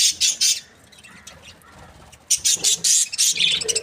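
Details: Australian budgie breeding pair, said to be happy, giving a few bright squeaky chirps, a brief lull, then a quick run of high metallic chirps.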